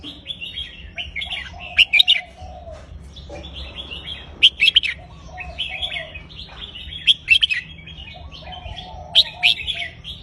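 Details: Caged red-whiskered bulbul singing a looping counted-phrase (nap dok) song: bright, warbled bursts repeated every two to three seconds, with softer lower chirping between phrases and a steady low hum beneath.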